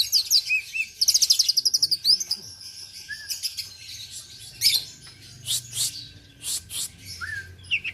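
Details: Kacer, an oriental magpie-robin, from Aceh: rapid high chattering trill phrases, then scattered sharp notes and short whistles separated by pauses, with a steady faint background tone.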